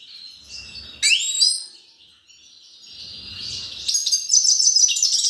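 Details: Grey-crowned goldfinch giving high, chattering twitters with a sharp rising flourish early on, a softer pause, then a loud, dense run of tinkling, buzzy trills to the end.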